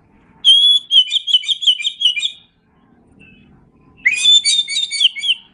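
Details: Oriental magpie-robin (kacer) masteran song from Indonesia: a long phrase begins with a clear whistle and runs into quick, bubbling repeated notes. After a pause, a rising sweep opens a second busy, rippling phrase.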